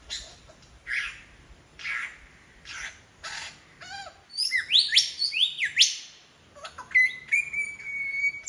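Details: Mimicking lyrebird in Royal National Park, Sydney, Australia: harsh, broad rasping bursts about once a second, then a tangle of high whistled sweeps and a sustained thin whistle near the end.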